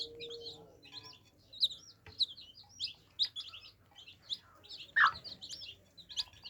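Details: Several baby chicks at their water, giving bright, high-pitched peeps in quick irregular bursts, with a brief low hum at the start and scattered sharp clicks.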